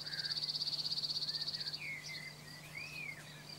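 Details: Cirl bunting in song in France: a bright, rapidly repeated rattle of clipped notes for nearly two seconds, then softer slurred whistles from other birds, all over a continuous thin high drone and a faint low hum.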